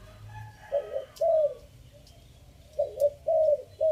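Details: Spotted dove from Chiang Mai, Thailand, giving a three-note 'kuk' decoy coo in phrase style five: mellow low hooting notes, a burred double note then a long steady coo, the group repeated after a two-second pause in a quiet setting.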